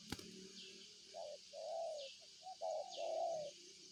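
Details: Spotted dove giving soft, hollow coos: a short note, then a long smooth one, then a quick pair and another drawn-out coo. A faint high hiss of insects and a low hum sit underneath, with one click at the start.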